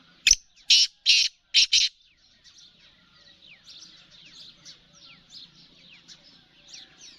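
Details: Grating voice of a female black francolin: four loud, scratchy notes delivered rapidly within two seconds, followed by a steady chorus of thin, descending chirps from other small birds.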